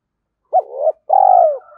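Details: A single lure coo of a spotted dove, thổ sấm voice style, to set wild doves cooing: a brief loud rising note sliding into a softer purr, then a long loud coo gently falling at the end.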